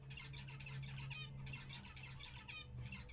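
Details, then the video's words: Pet zebra finches kept indoors at home while a cat tries to imitate them; a steady run of short nasal, buzzy call notes from several birds, with low hum underneath. "Minha gata adora tentar falar na língua do mandarim, zebra finch."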